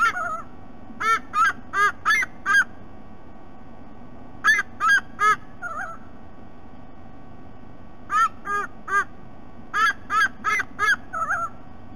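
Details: Sea eagle chick back at the nest after a rest, filmed by nest camera at Sydney Olympic Park, Australia, 3 November 2018; bursts of three to five loud, nasal, goose-like honks, each burst separated by a few seconds, over steady low background hum.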